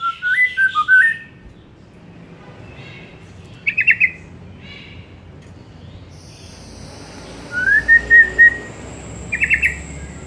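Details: Afternoon song of a white-rumped shama, heard as scattered short bursts of slurred whistles and chattering notes with long quiet gaps, plus a steady high insect-like hiss in the background.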